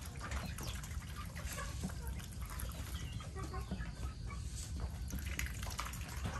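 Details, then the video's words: A flock of chickens clucks in short, scattered bursts, with ducks calling among them, during Typhoon Noru, over a steady heavy rumble of rain and wind. "Tiếng kêu Đàn gà Vịt"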